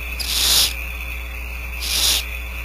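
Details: Barn owl owlets, about four, being fed by the female at a nest cam at Starr Ranch, giving two loud rushing hisses about a second and a half apart over a steady electrical hum.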